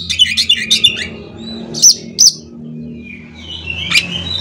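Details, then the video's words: Oriental magpie-robin song used to provoke other magpie-robins into singing: a few quick high chirps, then a pause, two sharp piercing notes and a later buzzy upslur, with a low background hum. "CUKUP DENGAN SUARA KACER INI, KACER LAIN JADI GACOR"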